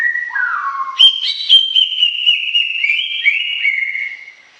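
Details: Greater green leafbird song opening with a lower, sliding whistle that drops, then breaking into a fast, bright string of whistled notes that slowly descends, rich in quick chirps and trills.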